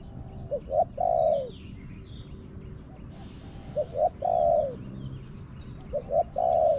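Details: Wild spotted dove answering a decoy in a garden; three repeated phrases of two short rising coos followed by a long purring, falling coo, while small birds chirp high and thin in the background.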